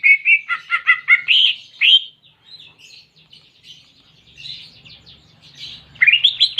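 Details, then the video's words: Greater green leafbird singing canary-like phrases. A fast stuttering trill leads into rising whistled sweeps, then softer scattered twitters over a low hum, ending with a quick rising run of notes. "Masteran Cucak Ijo Isian Kenari Jernih"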